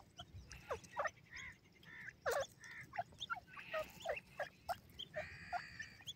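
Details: Captive Dakhni silver and Bhuda teetar francolins give a busy run of harsh, squeaky calls and chattering notes, several birds overlapping in short bursts about every second or two.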